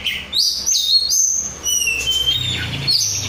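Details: Untrained 'rudal Korea' kacer, an oriental magpie-robin, in full vigorous song: bright high whistles and rapid slurred phrases, some sweeping down then up, with short pauses between bursts and a faint low hum.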